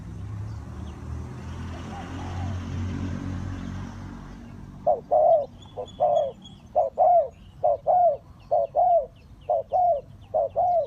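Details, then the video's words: Decoy Spotted dove calling for bird trapping: a rumbling, noisy opening gives way halfway through to a steady run of low hollow coos in short-long pairs, with faint chirps overhead. "Cu gáy Ninh Thuận"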